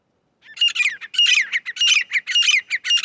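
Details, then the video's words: Grey francolin calling, used as a lure for trapping; loud, shrill, chattering notes in a fast, uneven series of about two per second, with no other clear sounds. "Titar voice"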